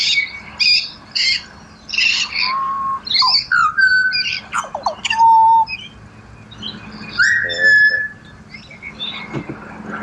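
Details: Australian pied butcherbirds open with harsh chattering bursts, then switch to pure, level whistles and a drawn-out fluting note, the serenade mixing rough and sweet sounds.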